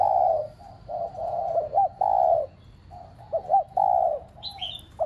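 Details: Spotted dove decoy cooing to stimulate pet doves: soft, even coos alternate with quick clipped double notes, in a looping rhythm. A short bright chirp from another bird is heard near the close.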